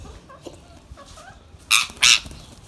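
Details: Young pet ringneck parrot lets out two loud, harsh squawks in quick succession after a few faint soft notes, with low background hum throughout.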